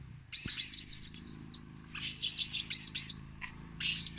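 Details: Blue-crowned hanging parrot calling to lure other birds: dense bursts of shrill, chattering high notes in three groups, separated by brief pauses, over a low background hum.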